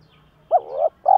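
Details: Spotted dove decoy call for stirring up other doves, male and female birds: a short swooping low coo, a wavering hoot, then a steady deep coo beginning.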